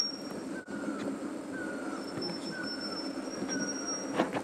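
Spotted elachura song: short, slightly falling whistles repeated about once a second over a very high, thin sustained tone, with a steady rushing background.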